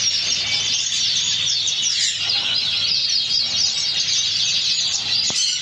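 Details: Pheao canary from Spain delivering an unbroken stream of high trills, rapid chirps and rolling phrases, loud and steady.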